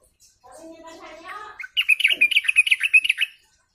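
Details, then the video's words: Sooty-headed bulbuls calling as a flock, recorded as a lure sound: low, drawn-out tones, then a loud run of about a dozen quick, bright chattering notes over one and a half seconds, ending cleanly. "pancingan suara trucuk ombyokan"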